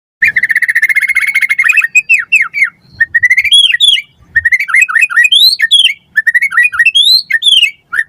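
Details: White-rumped shama song used as a lure and tutor recording for captive birds: a long buzzy trill, then loud whistled notes sliding up and down, given in quick varied phrases with short pauses.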